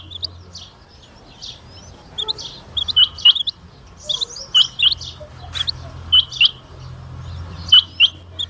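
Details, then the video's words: Rain quail from Jhang and Mianwali giving sharp, high, metallic notes, often doubled, repeated at an uneven pace, with fainter calls behind and a low hum underneath. "rain quail sounds/Btair ki awaz"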